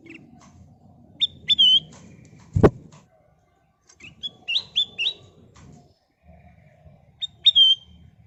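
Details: Sooty-headed bulbul song used as a lure to make other birds sing: short clear whistled phrases with quick upslurred and looping notes come in brief bursts between pauses, and a sharp click sounds once.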